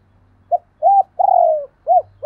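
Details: Spotted dove giving paired cooing: a short soft note, an arched coo, a long drawn-out coo falling in pitch, then more short arched coos, low and mellow over a faint steady hum.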